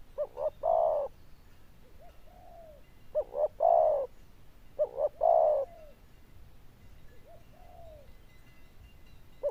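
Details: Zebra dove of the loud, bell-voiced kind with good cooing style. It repeats a three-part cooing phrase of two quick notes and a drawn-out mellow coo about every two seconds, with softer trailing notes and faint background hum.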